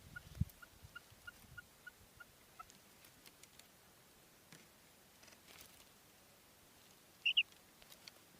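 A female common quail gives about eight soft, evenly spaced notes, then after a pause a sharp, high-pitched double note over a faint hiss.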